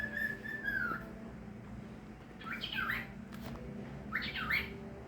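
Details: Pet bird singing to a newly acquired companion bird: one long, slightly falling whistle, then two bursts of quick, twisting warbled notes a few seconds apart, over a steady low background hum.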